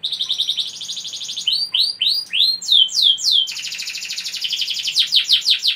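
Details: Energetic canary song used to provoke other canaries into singing: sustained high buzzy trills broken by a run of arching whistled swoops, then another long rapid trill ending in quick repeated notes, with a clean, quiet background.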